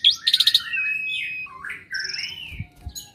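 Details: Asian pied starling, a lively kept bird said to copy other birds' voices, singing a varied run of whistled slides, rising and falling notes and buzzy rattled bursts, with faint low rumbling in the background.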